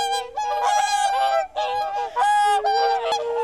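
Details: Whooper swans floating on misty, icy Lake Kussharo, Hokkaido, Japan. Several birds give loud, brassy honks in clustered bursts of two or three notes, separated by short pauses, over faint held musical notes.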